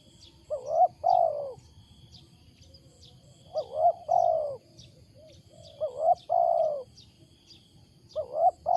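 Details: Wild spotted dove's loud, unusual coo: repeated two-part phrases, a short upswept note then a drawn-out descending coo, about every two and a half seconds, with faint high ticking behind.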